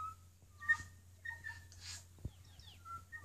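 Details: North Island kōkako on Tiritiri Matangi giving slow, pure, flute-like notes, held briefly and shifting between low and higher pitches, over a faint steady hum.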